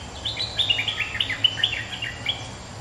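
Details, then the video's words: Bulbul holding its territory against a rival, delivering a quick lively string of liquid chirped notes that bounce up and down without pause for nearly three seconds. "เสียงนกดอกแตงEp.209 ถูกคู่ เจ้าถิ่นริก!!กระจายเลย Suara pikat merbah lekir gacor"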